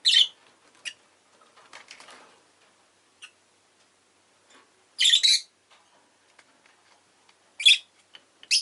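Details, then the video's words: Pet rosy-faced lovebirds, including an orange-coloured bird in its last recording, give loud, harsh, rasping chirps in short bursts around the start, middle and end, with faint scattered chatter and quiet street noise between. "Lovebird Chirping Sounds"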